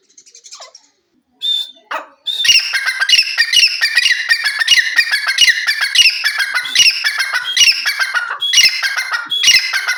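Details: Grey francolin call: after a few faint notes, a loud, sustained run of harsh, rhythmic repeated phrases starts about two seconds in and continues steadily to the end.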